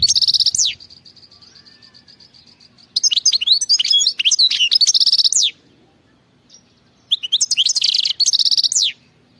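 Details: European goldfinch singing in the khalawi (wild-type) style: three bursts of rapid, high twittering and tinkling notes mixed with buzzy trills and quick rising slurs, separated by short quiet pauses. Faint low hum underneath.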